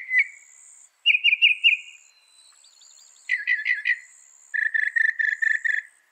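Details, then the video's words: Northern mockingbird, said to reproduce 200 sounds, switching between phrases: a single whistle, a rapid series of four clear notes, a cluster of buzzy chattering syllables, then six evenly repeated rich notes. "Masteran suara burung NORTHERN MOCKINGBIRE bisa merekam 200 suara"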